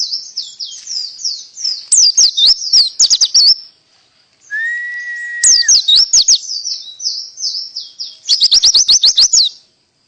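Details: Pleci full tembakan canary song: high, fast twittering phrases and rattling trills, a short pause, then a long flat lower whistle under renewed rapid chirps, ending in a burst of quick repeated trilled notes.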